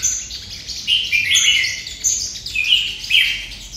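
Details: Red-whiskered bulbul training content; a sunbird sings a rapid, high, thin twitter of sharp chirps and short bursts, repeated several times in under four seconds over a quiet background.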